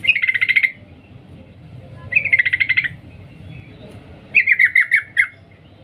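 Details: A female sooty-headed bulbul calls to a male with three quick rattling bursts, the first two dense and buzzy, the last a slower string of separate chirps, against a quiet low rumble.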